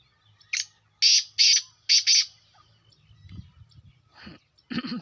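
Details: Black francolin, known locally as kala teetar, calling: a short harsh note followed by four loud rasping, buzzy notes in two pairs, then a quieter low murmur and another rasping burst near the end.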